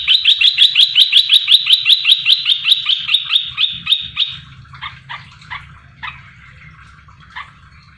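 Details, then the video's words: Olive-winged bulbul, a red-eyed variety caught wild and caged three months, giving its loud lure song to provoke answers from others. A fast run of bright repeated notes about six per second, fading into scattered softer calls. "Merbah belukar gacor"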